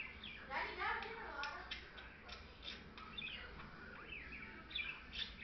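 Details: A pet parakeet pair, a white male and a blue female, chatter in quick, warbling runs of squeaky, bending notes, several a second and uneven in pace, over a faint room hum.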